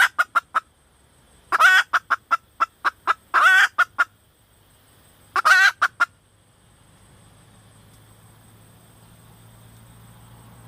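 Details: Female red junglefowl call: quick series of short clucks broken by three harsh squawking bursts over the first six seconds, then a low hum and quiet for the rest.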